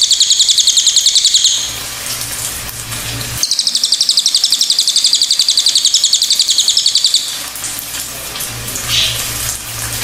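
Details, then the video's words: Pied fantail singing in two bursts of fast, even, high-pitched chips, roughly four per second, with a quiet gap between them and faint background hum near the end. "KICAUAN BURUNG CILILIN"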